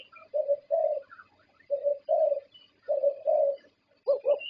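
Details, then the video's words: Thai champion zebra dove, valued for winning prestigious competitions, cooing in soft purring notes paired in twos about once a second, with a quick clipped double coo at the end and faint background chirps. "Perkutut juara Thailand"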